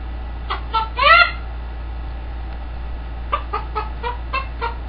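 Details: Pet green-winged macaw imitating a chicken: a burst of short, stacked cluck notes, one longer rising cluck near the middle, then a faster run of evenly spaced clucks after a brief pause. A steady low hum sits underneath.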